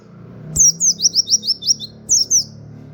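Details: Indonesian white-eye (pleci) in rapid song used as a master recording for training cage birds: a fast run of seven high, descending slurred chirps, then a short pause and a second brief burst.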